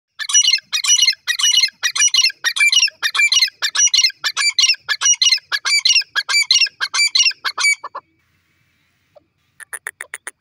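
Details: A grey francolin (teetar), in what is described as Pakistani Punjab, gives loud, harsh, grating notes in a fast, steady run, about two each second for eight seconds, then stops; a few fainter notes follow.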